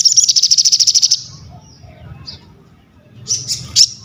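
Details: A crested jay delivers a quick high rattle of about fourteen evenly spaced notes, then falls quiet apart from a low hum before a few short sharp chips.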